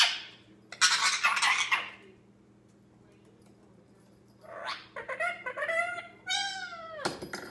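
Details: Young male Indian ringneck parakeet, 10 months old, indoors playing alone and mumbling early words; a harsh noisy burst, then quiet, then a series of falling, harmonic chattering syllables ending in a sharp click.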